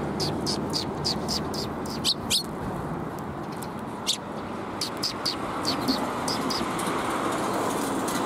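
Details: Sparrows coming to be fed on a shrine approach in Japan, 26 March 2021: short sharp chirps repeated several times a second, in loose bursts, over heavy broad rushing background noise.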